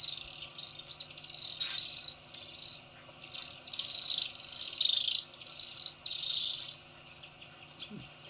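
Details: Little swifts drinking at Ol Donyo waterhole, Kenya, at 8:30 am on 20 October 2024. Several birds give shrill, high trilling screams in overlapping bursts of about a second, over a faint low hum.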